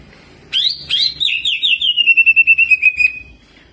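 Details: Greater green leafbird singing jamtrok with ciblek mimicry and rolls, a training tutor song: two loud, harsh, wavering whistles, then a sliding descent into a quick, even series of sharp chirps that fades out.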